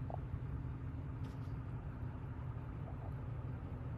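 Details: Steady low engine-like rumble fills the recording, with no animal voice standing out.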